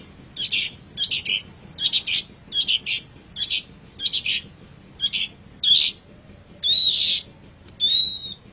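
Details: Long-tailed shrike song used as a master recording for training pet songbirds: a series of about nine short, harsh, scratchy bursts at roughly half-second intervals, then longer whistled, slurred notes with rising and falling sweeps.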